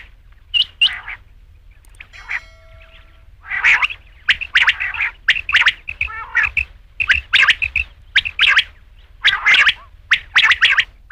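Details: Rain quail giving rapid rasping calls, grouped in pairs and repeated steadily after a brief opening, with a short steady electronic-sounding tone near the start.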